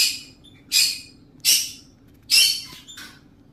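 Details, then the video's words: Talking parrot giving three loud, harsh, breathy syllables spaced roughly three-quarters of a second apart, then a softer trailing sound, with a low constant hum behind. "cute talking parrot"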